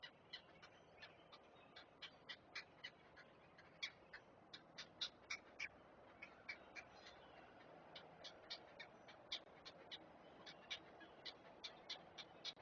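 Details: Great blue heron chicks clamouring as an adult feeds them at the nest: a long, rapid run of dry, clacking notes, several a second and unevenly timed, against a quiet steady background hum.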